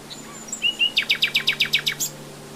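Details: Common nightingale singing in the wild: a few thin whistles, then a fast burst of about ten sharp, identical notes in under a second, ending on a high note, over a faint steady hum.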